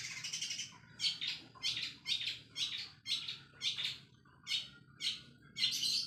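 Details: Long-tailed shrike in full-speed song laced with imitated sparrow notes, used as a lure for other singers. Bright, scratchy chirp clusters repeat about every half second, each burst clipped and energetic, with quiet gaps between.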